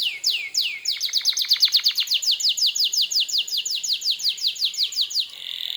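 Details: Canary song used to goad other canaries into answering: a few loud swooping notes, then a long, fast, regular run of sliding whistles speeding up, ending in a brief buzzy roll.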